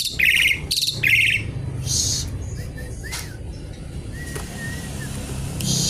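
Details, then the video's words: Javan pied starling song opening with loud harsh chattering bursts, then softer whistled slurs and one long, level whistle, with low rumbling background noise throughout. "Jalak suren gacor isian ribut mencari lawan"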